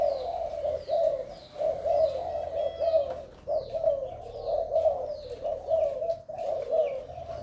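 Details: Male spotted dove of Malaysian stock, described as very vigorous and with a beautiful neck collar. A low, throaty cooing runs almost unbroken, pulsing in strength, while thin high descending chirps repeat about once a second above it.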